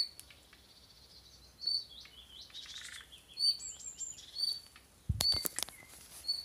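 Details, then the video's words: Unidentified bird making a rasping, whirring sound in deciduous woodland of birch and alder at Mellstaby Lund, eastern Öland, on 20 June 2013; thin high chirps and buzzy trills overlap, with a loud rustle near the end. "Hjälp med fågelläte / Help with bird sound"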